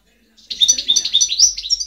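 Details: European goldfinch song from 2010: after a short silence, a quick, bright, liquid twitter of high chirps and tinkling trills pours out continuously, clear and loud.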